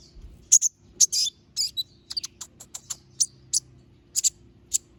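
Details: Konin, the little spiderhunter, giving its sharp filler song: loud, piercing high chips scattered at irregular gaps, about two per second, some doubled, against a soft low background hum.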